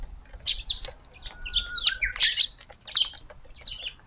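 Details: Eurasian tree sparrows at a sunny garden feeding spot in the morning, April 3, with bright, scratchy chirps in quick clusters roughly every half second and a thin, steady whistled tone running briefly underneath.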